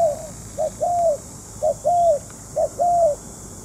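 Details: Spotted dove decoy during trapping, three clean two-part phrases: a short coo then a longer drawn coo, each phrase about a second apart, over low steady hiss.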